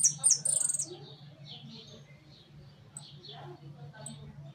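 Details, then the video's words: Hooded siskin in a large cage opens with a fast, shrill trill of high notes lasting under a second, then falls mostly quiet apart from scattered faint chirps and a constant low hum. "Jilguero amarillo priando en jaulon."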